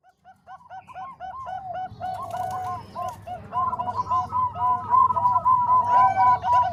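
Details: Zebra doves, a mix of Bangkok and Cemani Kolbuntet voices used as training song for other doves: soft, clear cooing notes repeat quickly, then more voices overlap into a dense, layered cooing chorus with low background hum.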